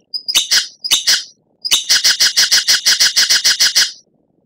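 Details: White-rumped shama kept as a songbird, used as a master recording to tutor other birds: short bursts of harsh buzzy notes, then a long, even series of about fifteen repeated rattling notes before silence.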